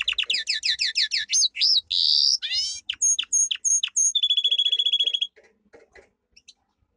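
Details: Domestic canary singing a powerful training song: rapid rising trilled notes, a swept whistle, a series of repeated looping high notes, then a fast even trill before fading into quiet chirps.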